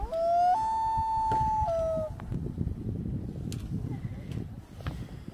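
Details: A loon calls from far out on Beers Lake, Maplewood State Park, Minnesota, at about 8 am in autumn: a long, mournful tonal wail that steps up in pitch and holds about two seconds, with soft outdoor background noise.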